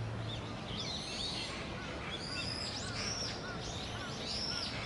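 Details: Little grebe chicks, two siblings hatched in early October and about 50 days old, at Inokashira Park's Ochanomizu pond on 25 November 2018. Parents are building a new nest. Thin, high chirps come in short bursts over steady background noise.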